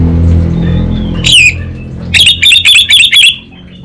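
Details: Caged orange-headed thrush from Singaraja, northern Bali, singing vigorously in the kabel konslet style: after a faint low hum, one harsh buzzy burst, then five rapid, loud, crackling buzzy bursts in quick succession.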